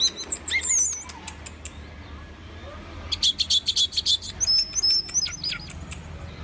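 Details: Orange-headed thrush singing: scattered high chirps and whistled slurs, then a burst of rapid buzzy notes and a run of thin high whistles repeated in quick succession, over a low steady hum.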